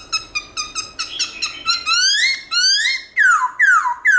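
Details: Black-throated laughingthrush singing in the morning: a rapid series of short bright notes, then longer rising whistles and several loud downslurred whistles closing the phrase.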